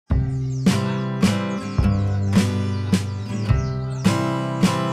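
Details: Acoustic guitar music only, with strummed chords struck roughly every half second over sustained plucked notes and no animal voice.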